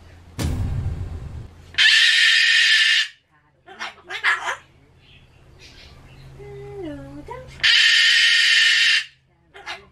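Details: Pet Solomons cockatoo, which screams at loud noises such as town announcements and election cars, indoors: two long, harsh, loud screams over a second each, separated by human speech and soft bird chatter.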